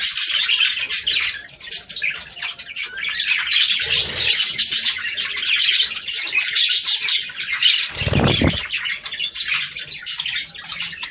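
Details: Budgerigar breeding-stimulation chatter: continuous scratchy warbling and squeaks from several birds, with a brief low thump near the eighth second.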